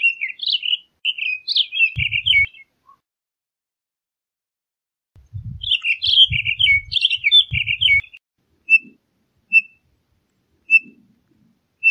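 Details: Townsend's solitaire singing two long warbling phrases of quick, high, tumbling notes, followed by a series of short, single whistled call notes spaced about a second apart; some low thumps in the background.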